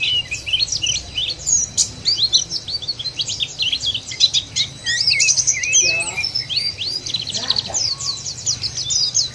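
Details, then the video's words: White-eye singing in an ampuh lure meant to get other white-eyes singing steadily: a bright, busy stream of thin high chips and trills in bursts, briefly broken by a soft lower rattle. "puter ini jangankan pleci burung lain aja pada gacor"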